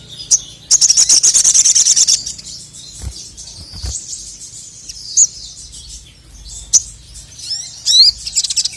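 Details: Male crested jay singing to challenge rivals: a long fast high rattle of about one and a half seconds, then scattered sharp chirps and short trills after quiet gaps.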